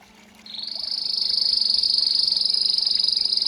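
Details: Belgian canary, a master singer, performing pure 'campainha' (bell-style) song: near silence for half a second, then a dense, high, steady trill that swells in loudness and holds its pitch to the end.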